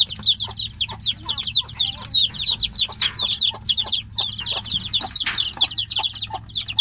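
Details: Several chicks shut in a cage, calling for the mother hen outside, peep continuously with shrill, short, downward-slurred notes tumbling over each other many times a second.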